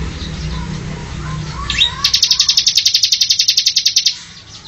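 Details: After a brief rising whistle, a Bar-winged prinia delivers a steady train of sharp, high, buzzy pulses, close to four per second, for about two seconds, over low murmuring background.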